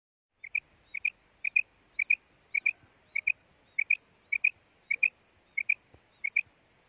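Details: Female quail, known locally as batair, giving its call: a sharp, high double note repeated steadily about every half second, each pair of clipped chirps alike, over a quiet background.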